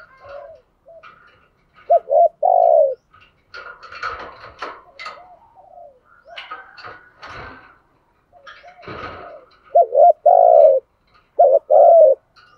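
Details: Caged decoy spotted dove cooing to attract wild doves. Bursts of low coos, a quick pair and then a drawn-out note, open and close the stretch. Between them come clattering knocks and scattered higher bird calls.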